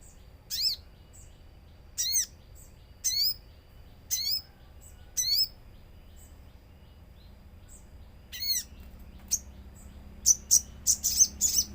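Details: Common iora song used as a lure with nature sounds: short high chirping notes with harmonic upsweeps, given singly about once a second, then a quick run of sharp chips at the end over a low background hum.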